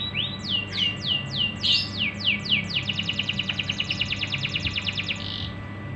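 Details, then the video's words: Canary singing as a training lure for other canaries: a few slower falling whistled sweeps, then a rapid buzzy roll of tight repeated notes that ends abruptly, with low hum underneath. "pancingan untuk burung kenari bahan"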